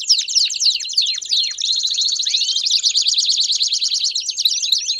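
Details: Several Belgian canaries singing together: a brief burst of falling whistled notes, then a sustained rapid rolling trill, high and steady, with overlapping voices.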